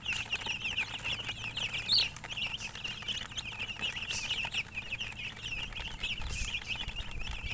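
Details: Chicks chirping: a steady stream of short, high, rapidly repeated peeps from several birds overlapping, with one louder squeak near two seconds and faint low rumble beneath.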